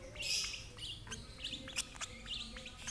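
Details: Older sibling feeding a lovebird of the same parents; an opening hissy squeal is followed by a run of sharp, bright chirps spaced a few tenths of a second apart.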